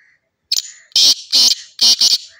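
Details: A black francolin gives its morning call, a loud, harsh, grating quick series of rasping notes, the last two doubled, with nothing else heard.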